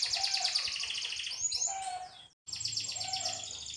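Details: Canary giving a fast rolling trill and high sweeping notes, broken by a brief cut to silence, then resuming with sustained rattling trills.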